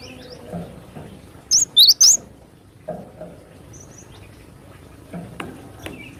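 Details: Cinereous tit in the wild, singing vigorously: a short sharp run of three shrill whistled notes jumping between high and lower pitch, with faint far-off chirps and soft background noise.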